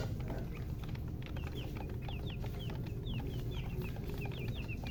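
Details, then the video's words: Colored chickens giving thin, high chirps, single or paired sweeping peeps spaced through the recording, with a loud low rumble underneath. "silly chicken chirping sounds with murgi hen color chicken"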